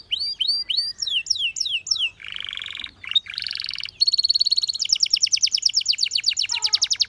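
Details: Belgian canary song in varied phrases: repeated rising slurred notes, a harsh buzzy rolling section, then a long rapid trill of sharp repeated notes.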